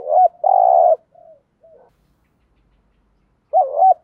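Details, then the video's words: Spotted dove giving a decoy coo to draw in wild doves: a short looped note, then a long, steady, buzzy coo, softer trailing notes, a quiet gap of about two seconds, then another looped coo. "tiếng chim cu cườm gáy thúc gù bài bản"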